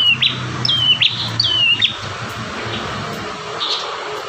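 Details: Bar-winged prinia, prenjak tamu, in a lively five-variation master song used to train caged birds: a few thin whistled notes sliding down, each with a sharp upward flick, spaced about half a second apart, then a low hum.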